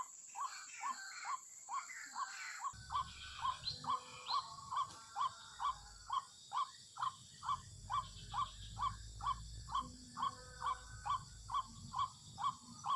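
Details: White-breasted waterhen (ruak-ruak) call used as a lure for bird trapping: loud, evenly repeated harsh notes about twice a second. A thin steady tone sounds briefly at the start, and faint low rumbling runs underneath.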